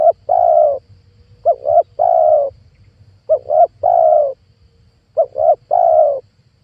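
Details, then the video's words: Spotted dove used as a lure call for trapping wild doves: mellow cooing phrases of two quick short coos followed by one long drawn coo, repeated about every 1.8 seconds, over a faint low background hum. "PANGGILAN TUKUKUR PIKAT 2022 COCOK BUAT PANCINGAN TEKUKUR LIAR"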